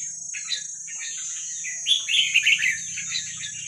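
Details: Red-whiskered bulbul, a young wild bird of the Vietnamese type, sings rapid sweet chirps that build into a denser warbling run midway, against a low hum and a thin steady whine.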